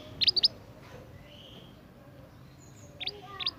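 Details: Scarlet minivet, a young bird from the forest, calling actively with clusters of two or three high, sharp chirps, followed by a pause of about two and a half seconds and then more paired chirps, with quiet low background noise.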